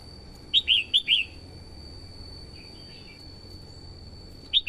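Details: Red-whiskered bulbul, a decoy bird singing to call in wild birds, a female stimulating males. A rapid burst of four clear whistled notes, then a long pause and a single note at the end, with faint hum behind.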